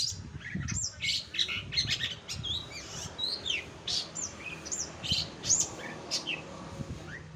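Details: Long-tailed shrike in full song: quick, varied high chirps, upslurred whistles and short trills in rapid succession over soft background noise.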